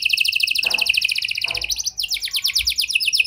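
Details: Canary song played to stimulate other canaries to sing, in a style imitating the prenjak and lovebird: rapid dense trills of high repeated notes, shifting to a faster rolling phrase midway, with brief low noise bursts.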